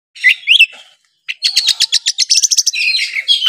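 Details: Oriental magpie-robin, a kept songbird from Kudus, singing a full 'nembak' song rich in mimicked fills of sparrow fights and kingfisher: two rising whistled slurs, a short pause, then a fast run of sharp repeated chips and high trills.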